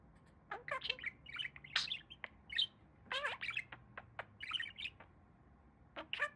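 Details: Male pet budgerigar with fluffy feathers, talking. Rapid, scratchy mimicked speech comes in bursts with short pauses, mixed with chirps and brief squawks.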